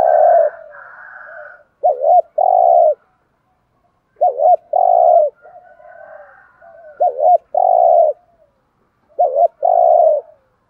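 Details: Spotted dove used as a decoy to draw in wild doves, giving 'thúc gù' urging coos: repeated phrases of a short clipped double note followed by a longer steady coo, about every two to three seconds, with faint higher tones.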